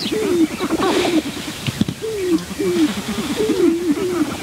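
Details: Two wild sharp-tailed grouse males fighting intensely at the edge of a lek, recorded with a Rode Videomic: low, rapid cackling and hooting notes in quick repeated bursts, some rising then falling, over steady outdoor background hiss.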